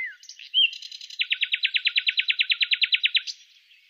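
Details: Common nightingale singing during a survey, opening with a few short varied notes, then a rapid rattle of about seventeen identical loud clicking notes delivered in steady succession before a brief closing note.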